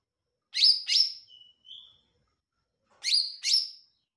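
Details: Olive-backed tailorbird in full song, giving a doubled burst of bright, sharp notes, a couple of soft thin whistles, then another emphatic double note after a pause.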